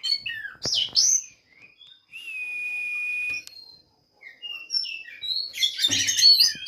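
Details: Oriental magpie-robin kept in a breeding facility in Banjarnegara, Central Java, giving sharp slurred whistles, a long level whistled note, a brief pause, then a dense burst of rapid mixed twittering.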